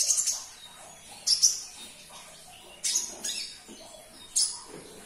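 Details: Sunbird, called kolibri ninja, recorded as a lure to make a caged bird that has stopped singing respond; high, thin chirps in short bursts, about three spaced well apart, over a quiet background.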